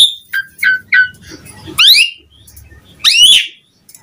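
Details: Asian pied starling song used to lure other starlings, with three short descending whistles followed by two loud rising whistled phrases separated by a pause.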